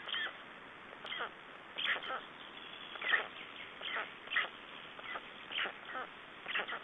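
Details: At a black stork nest in Estonia, 3 June 2011, during the exchange and feeding, separate husky, nasal bursts sound about once a second over a steady background hiss.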